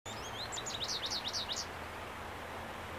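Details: American goldfinch singing to mark territory, recorded 30 April 2015: a quick run of bright, high, slurred chirps and twittering notes lasting under two seconds, over a steady low background hum.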